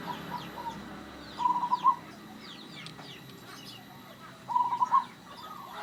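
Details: Local zebra dove in full voice, its odd, rare song heard as two short rolling trilled phrases, one near 1.5 seconds and one near 4.5 seconds, over thin chirps of other birds.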